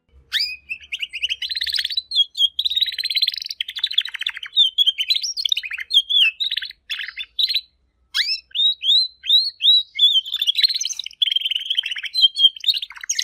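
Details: A Spanish Timbrado discontinuous canary (Serinus canaria domestica) sings a paused, unhurried song of separate, distinct notes and syllables with short breaths between them.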